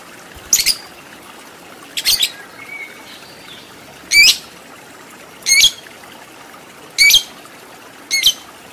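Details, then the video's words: Lovebird in a training recording meant to produce long ngekek chatter: six short, grating, high squawks, some doubled, repeated roughly every one and a half seconds against a steady faint hiss. "Masteran Lovebird Agar Cepat Menjadi Lovebird Fighter Ngekek Panjang"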